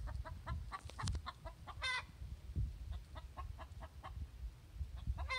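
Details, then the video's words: Laying hen's egg song: rapid, evenly spaced clucks punctuated by two loud, harsh cackles, one near the start and one at the end, with heavy low rumbling background noise. "Our hen's egg song"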